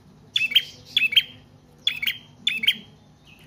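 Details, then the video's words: Prinia song, used as a lure and for training other cage birds: four bursts of sharp, high double chips with a trailing buzzy tail, each about a second apart, over a faint low hum. "Prenjak Trotol/Paot Gacor Panjang"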